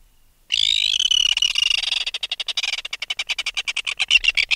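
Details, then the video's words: An adult red-billed tropicbird removed from its nest gives close-up alarm calls: a shrill, harsh screech breaking into a fast rattle of about ten grating pulses a second, with no other sounds. "Red-Billed Tropicbird. Alarm Calls CU From Adult Removed From Its Nest."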